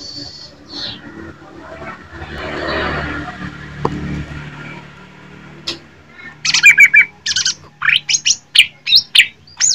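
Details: Greater green leafbird from Jember in fighting song: low rumbling background noise at first, then a burst of sharp, high, clipped notes and quick chirps repeated in an uneven series toward the end.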